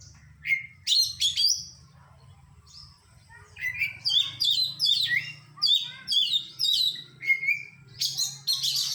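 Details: Oriental magpie-robin song used for training, rich in copied phrases: rapid tumbling whistled notes and buzzy high chips, with a short drawn whistle and dense bursts of mimicry, against a constant low hum.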